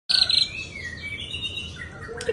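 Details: White-rumped shama song: a loud rapid trill opening into long, clear whistled notes that slide slowly downward, a short chirp near the end, with an insect-like background hiss.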